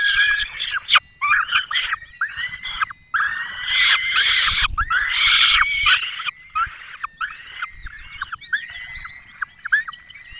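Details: Peregrine falcon nest, Barycz Valley, Poland, 5 May 2022; the male brings a small bird and the female feeds the young. Rapid series of harsh wailing notes, loud and ragged at first, then shorter and fading.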